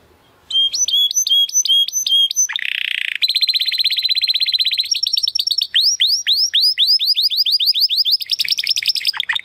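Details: Belgian canary song with snapping 'estralando' delivery: clipped whistled phrases, a brief raspy buzz, a long steady rapid trill, then quick downward-swept notes repeated several times per second.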